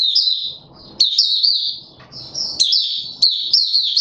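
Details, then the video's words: Caged white-eye being pushed into form, opening song, recorded 31 December 2021: high, thin twittering phrases with rapid sliding notes, broken by a short pause near one second and another near two seconds, over soft low rustling. "Mata Puteh - Raja V2 Pushing him on form buka sing"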